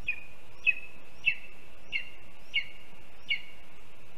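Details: Lesser spotted eagle chick at a nest on a live cam, 7 July 2022, waiting for its mother to return while the father has brought a mole; six short, high, sharp yelping calls spaced roughly every 0.6 seconds over faint steady background noise.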